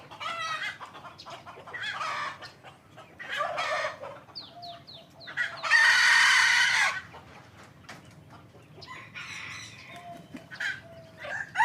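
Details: Hybrid Indian junglefowl giving loud hoarse crows, one long strained crow dominating the middle, with shorter crowing phrases and clucks from other fowl before and after, and a few sharp knocks.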